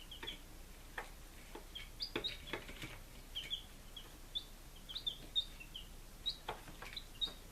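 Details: Five-day-old chicks in Lunenburg, Massachusetts, July 2017, calling with brief, high, downslurred peeps scattered across the recording, plus some tapping and shuffling sounds.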